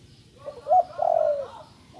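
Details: Young spotted dove recently learning to call, filmed in low light, giving a soft, hollow cooing phrase: a short note, then a longer, rough, slightly falling coo.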